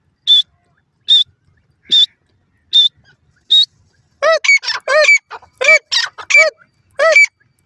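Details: ['Francolin: five thin, high whistled notes spaced about a second apart, then a run of loud, harsh, squeaky notes rich in overtones, quickly repeated with uneven spacing.']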